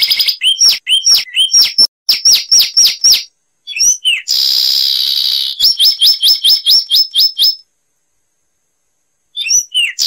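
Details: Zapata wren of Cuba delivering series of loud, quickly repeated downslurred notes, a brief buzzy trill in the middle, more repeated notes, a silence, then looping whistles.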